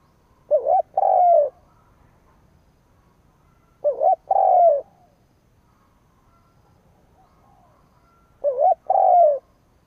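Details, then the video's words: Caged spotted dove used as a decoy to provoke rivals gives three coo phrases at uneven intervals. Each is a quick undulating syllable followed by a long, full coo that drops in pitch. The surroundings are quiet. "Cu mồi gáy gù / Tiếng chim cu mồi kích bổi / Cu mồi gáy bổi nghe hăng máu"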